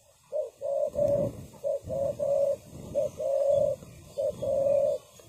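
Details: Lure spotted dove cooing to draw wild doves in for trapping on the ground. Soft paired coos, a brief note then a drawn-out one, repeat steadily over a low rumbling background.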